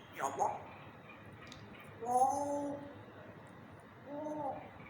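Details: African grey parrot talking in a slow voice in a happy mood: a short sharp note, then two drawn-out, voice-like, slightly falling syllables about two seconds apart, sounding indoors.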